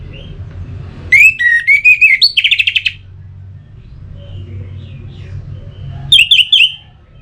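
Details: Orange-headed thrush singing, meant to stir other birds into song: a rich whistled phrase with sliding notes and a fast buzzy trill, then a short bright burst of high notes.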